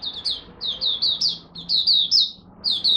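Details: High, slurred chirps from a Malaysian oriental white-eye in its first warm-up singing of the day, given in quick pairs and triplets about a second apart.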